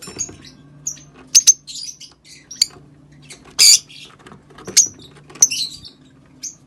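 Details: Rosy-faced lovebird calls meant to encourage breeding: scattered piercing high chirps and a few harsher buzzy bursts, spaced irregularly about a second apart over a quiet background with a low steady hum.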